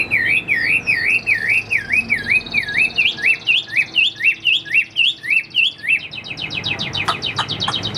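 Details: Caged Chinese hwamei, a tame bird not yet in peak form, delivers a long run of loud looping whistled phrases repeated about twice a second, followed by rapid high clipped notes, over a faint low hum.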